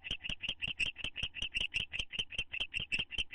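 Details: A pair of owls in a nest box, bonding on May 9, 2011, gives a fast, steady series of high, clicking chitters, about five or six a second, with no other clear sounds.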